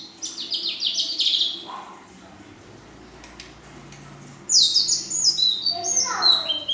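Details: Young female Ashy drongo in full-isian song style with long 'nembak panjang' and 'belalang emas' phrases: a falling ladder of bright whistled notes, a pause, then a sudden burst of high, sharp, tumbling whistles and a lower slurred phrase.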